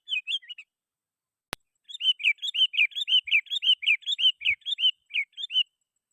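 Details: Sooty-headed bulbul singing vigorously, calling rivals, played to lure wild bulbuls: a short burst of bubbly whistled notes, a sharp click, then a quick run of about fifteen rising-and-falling liquid notes lasting nearly four seconds.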